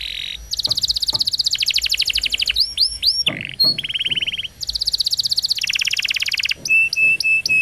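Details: Domestic canary singing at length as a training master for juveniles: rolling rapid trills at several pitches alternate with looping slurred whistles and a steady run of even, repeated pulsed notes.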